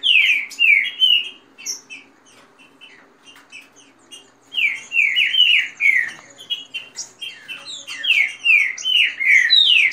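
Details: Kept Green-winged saltators in dispute, fast song with female calls in the rain-song style: loud slurred whistles sweeping down, delivered in rapid bursts of about two and a half notes a second, with a pause near the middle.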